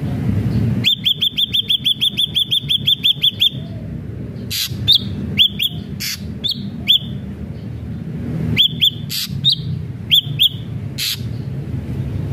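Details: Ashy drongo in full song, played to prompt other drongos to sing: a rapid even series of about fifteen sharp whistled notes, then spaced single and paired whistles with short scratchy bursts, over faint low background noise.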